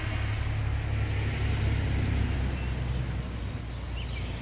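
A steady low engine rumble from a passing vehicle dominates throughout, easing slightly toward the end, with no animal calls heard.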